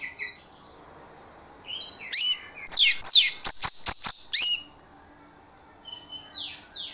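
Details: Orange-headed thrush singing as a lure for other birds: faint whistles, then a loud run of sharp, high, downslurred notes and crackling bursts, and finally a return to soft scattered whistling.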